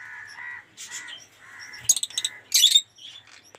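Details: Lovebirds (Agapornis) in an aviary collection of colour mutations give nasal, buzzy chatter. Then come two bursts of loud, harsh, high screeches about half a second apart, with several birds seemingly calling at once.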